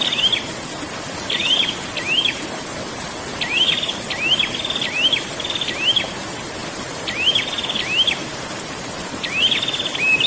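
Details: Prinia in full ngerol rolling song, used as bird therapy audio: quick rising whistles each running into a dry buzzy trill, phrases coming in close bursts over a continuous high hiss.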